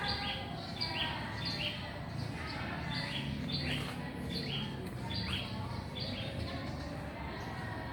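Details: Loud little bird in a mango tree: sharp, descending chirps repeated in rapid runs, with a low rumbling background noise.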